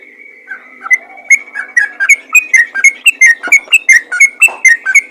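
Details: Yellow-vented bulbul giving rapid, continuous 'ropel' calling to call other bulbuls: a quick series of short, sharp whistled notes, each with a bright upward flick, repeated about every quarter second and growing louder after a soft start.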